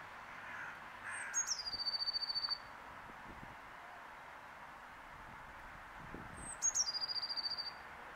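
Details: Two matching blue tit call phrases, several seconds apart, each opening with sharp, very high thin notes and dropping into a fast, even churr of roughly ten pulses lasting about a second, against a quiet outdoor background with soft rumble.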